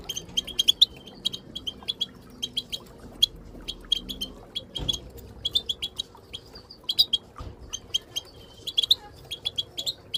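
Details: Female and other Moroccan goldfinches calling together as a training aid to stimulate silent goldfinches to sing; bright clipped chirps repeated in rapid irregular volleys, one soft thump midway, low hum underneath.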